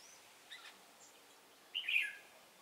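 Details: Red-whiskered bulbul decoy singing to fight during trapping, 10 December 2016: faint chips, then one short, bright, burbling phrase near the end against quiet background hiss.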